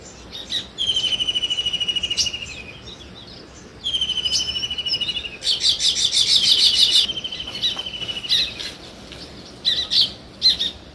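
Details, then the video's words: Weaver birds at nest building, giving long runs of fast, even, high-pitched ticks that drift lower, broken by a dense buzzy rattling burst and a few sharp chirps near the end. "Sparrow Chirping Sounds | Weaver Birds Building Nest"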